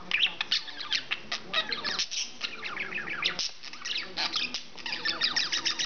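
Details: A male English budgie chatters without pause in a rapid jumble of scratchy warbles, clicks and sharp high squawks. The owner claims he says "do NOT drive the car" and "do NOT vote for Obama".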